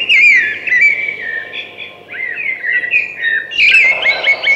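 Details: Singing thrush delivering continuous varied whistled phrases, slurred up and down, with brief twittering accents and a short dip in loudness midway before a bright closing phrase.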